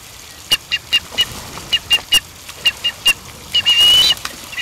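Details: Blue ducks bathing in New Zealand: about a dozen short, high whistles in quick succession, then one longer drawn-out whistle, with splashing water throughout.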